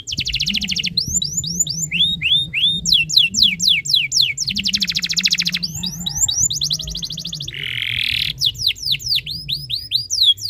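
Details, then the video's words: Tutor song of a canary, used to set other canaries singing: clipped rapid trills mixed with series of high whistled notes sweeping downward, one harsher burst near the end, over a faint steady low hum. "MASTERAN BURUNG KENARI ABAD INI - BIKIN KENARI LAIN IKUT BUNYI"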